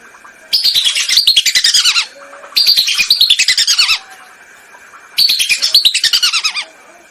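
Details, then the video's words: Lesser whistling duck calls used as a hunting lure: three bursts of rapid, sharp whistled notes, each about one and a half seconds long, falling in pitch, separated by short pauses. "MP3 pikat BELIBIS//suara ASLI, jernih & keras"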